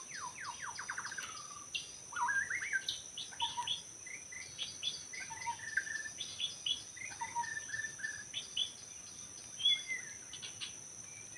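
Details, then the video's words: Wild white-rumped shama in forest, recorded while bird trapping: varied whistled phrases, rising sweeps and quick descending notes in bursts, over a steady high insect drone. "Rekaman suara asli murai batu hutan ketika sedang mikat"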